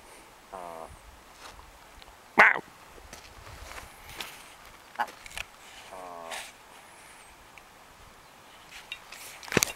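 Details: Willow ptarmigan in Denali, Alaska, giving two short bursts of hoarse, rapid, stuttering rattle, several seconds apart, with a sharp knock and footsteps in between.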